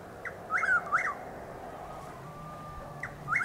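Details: Chuck-will's-widow calling while still dark around 6:15–6:20 am, 12 April 2023, six miles southeast of Lake Placid, Highlands County, Florida, overcast and drizzling: rolling 'chuck-will's-wid-ow' phrase, soft opening note then loud slurred notes, repeated about three seconds later over faint rain and a thin steady whine.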